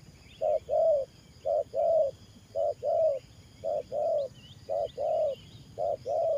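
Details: Cooing of a spotted dove kept as a trapping decoy, 'thổ pha' style: six steady pairs of soft low notes, short then long, about one pair per second, over a quiet rural background with distant bird twitters.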